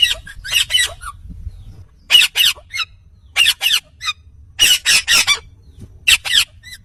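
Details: Talking Indian ringneck parakeet uttering groups of loud, grating, screechy syllables, bunched in twos and threes with gaps of about a second between groups, against a faint low rumble.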